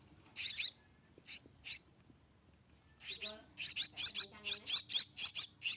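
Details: Nestling black-winged mynas fed by hand give a few paired shrill calls, fall silent briefly, then erupt into a regular series of raspy, high begging squeals.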